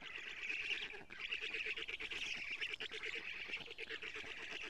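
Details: Black stork chicks in Estonia while the female brings lampreys, 14 June 2017 at 07:47 on a live nest camera; continuous shrill, buzzy squealing with pulsed undertone, one brief lull near the first second.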